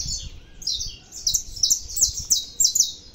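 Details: Saffron finch in full song, delivering rapid high, bright chirped notes that grow louder and more crowded toward the end, with faint low rumble beneath.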